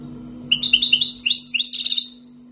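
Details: Algerian wild-origin European goldfinch, two years in keeping, singing tibatbati and sbat sbati style song: a fast run of sweet chirps rising into a dense, buzzy trill at the end, against a faint steady hum.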